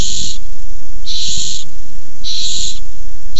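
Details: Barn owls quarrel over a tiny mouse, 6-4-15: harsh hissing screeches come roughly once a second, about four in all, over faint thumps.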